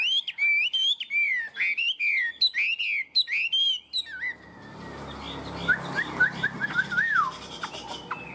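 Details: Caged, tame Chinese hwamei delivering its high-pitched song: a rapid series of loud, looping whistled notes repeated several times a second, then quieter, softer rising and falling whistles against background hiss.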